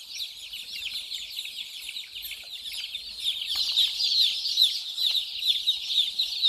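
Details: Crowd of small white baby chicks playing and drinking water; thick chorus of piercing high cheeps, quick downward slurs overlapping without pause, swelling louder in the second half with a few standout shrill notes.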